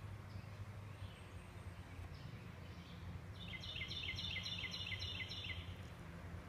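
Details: Blue jay fledglings, about four, from a nest in an American beech beside a house, 27 May 2017, give a quick run of about eight harsh, high, squeaky notes midway through, over a steady low rumble.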